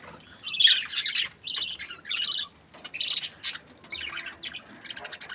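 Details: Budgie chatter: bursts of high, grating squawks and chirps about half a second long, separated by brief gaps, with faint warbling between them.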